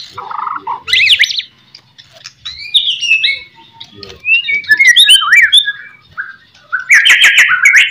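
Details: White-rumped shama song serving as master song so other shamas answer: scattered whistled slurs and chips with pauses, ending in a loud buzzy chatter.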